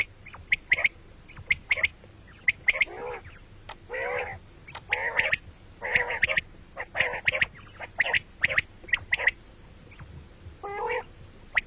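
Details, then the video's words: Common quail (batair) calling at morning and night: repeated nasal mewing notes mixed with many sharp, high, clipped pips in irregular bursts through the whole stretch, somewhat busy and overlapping. "batair ki awaz quil sound beautiful morning and night بٹیروں کی سپیشل زبردست آواز صبح رات"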